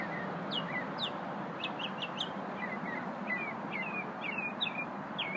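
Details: Little unidentified songbird heard at lunchtime: a series of quick downslurred chirps and slurred two-note whistles, spaced irregularly, against constant broad hiss and low rumble.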